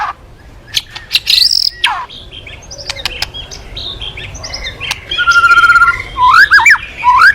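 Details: White-rumped shama in full song, meant to prompt other birds to sing, giving scattered clicks and chips that build into a rapid trill and loud swooping whistled phrases.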